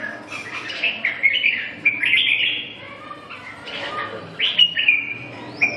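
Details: Red-whiskered bulbul song: a run of chattering, warbled notes followed by a pause, then further fluty phrases ending in a rising whistle.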